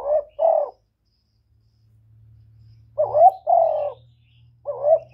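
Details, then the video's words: Cu gáy, the spotted dove, as a decoy bird giving urging calls: three bursts of low, mellow coos, paired notes wavering then flattening, with a soft low hum in the gaps. "Cu gáy hạp bổi {GÁY GỌI+THÚC+KÈM+GÙ khống} kích bổi hiệu quả. Cu đất gáy, tiếng cu cườm."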